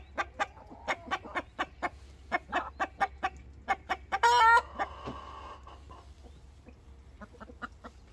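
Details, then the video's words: Rooster complaining with a run of sharp, rapid clucks, broken by a loud harsh squawk near the middle, then fainter scattered clucks over a low hum. "Hahn beschwert sich"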